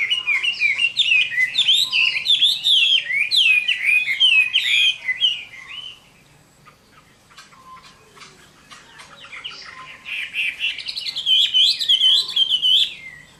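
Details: Chinese hwamei giving its fighting song at summer midday, a long burst of rich, varied whistles and trills, a quiet pause, then another energetic phrase.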